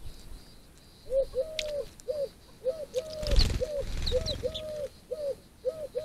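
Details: Wood pigeon (Columba palumbus) cooing steadily, with low, hollow hooting notes in repeated phrases that mix short and drawn-out coos. A brief rustle or flutter sounds midway, and faint small-bird chirps come from behind.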